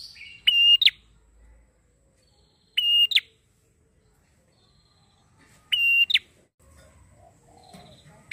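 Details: Prinia song for luring birds: three spaced phrases about three seconds apart, each a sustained clear whistle with a quick falling two-note tail, with faint low noises and soft chirps between.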